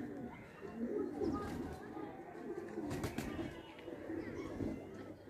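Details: Indian pigeons making soft, low, gurgling coos in small bursts, repeated about every second, over a faint hum with a few clicks.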